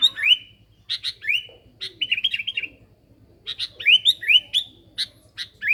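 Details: Sooty-headed bulbul (kutilang) singing eagerly as a lure: clusters of sharp ticks followed by sweet rising whistles, a short warbled run in the middle, then another burst of upslurred notes after a pause, over a faint hum.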